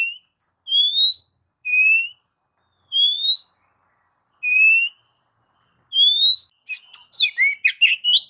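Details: Oriental magpie-robin sounding a series of clear, upslurred whistles alternating low and high, roughly once a second, then breaking into a fast jumble of varied chirps and trills at the end.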